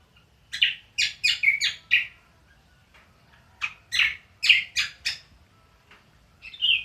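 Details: Ngriwik song of a cucak kombo: two short bursts of sharp, scratchy chirps separated by a pause of about a second and a half, then a final higher twitter.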